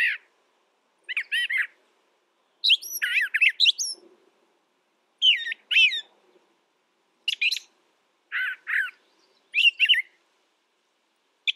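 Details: A brown thrasher runs through a long series of short varied phrases, many repeated twice in quick succession, separated by brief pauses.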